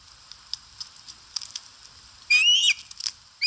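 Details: Osprey eating at a nest in Satakunta, Finland, 4 August 2022, on a live camera; soft scattered clicks, then one strong upward-sweeping whistled call, and the start of another at the end.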